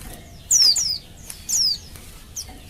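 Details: Female Oriental white-eye calling males, a lure to get caged males singing: two longer thin, high whistles sliding downward, then a short faint note, over a background hiss.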